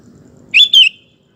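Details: Sooty-headed bulbul singing actively, used as a lure to draw other males into song and as a tutor recording; one loud, clipped two-note phrase, the second note sliding downward, then quiet with faint low background rumble.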